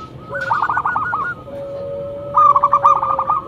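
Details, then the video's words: Zebra dove used as a loud lure, uttering two short phrases of quick rolling coos over a faint steady whistle-like tone. "Perkutut lokal gacor mental bagus suara NYARING pikat super"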